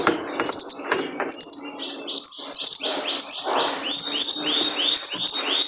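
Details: Male kolibri ninja sunbird used as training material for caged birds: short clusters of sharp, high chirps interleaved with a series of quick downward-sweeping whistled notes, steady and continuous.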